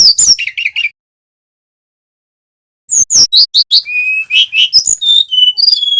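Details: Continuous song of a male brown-chested jungle flycatcher, a local Bali bird, used to prompt silent birds to sing. A short run of descending notes, about two seconds of silence, then a long, varied series of high whistles and chips.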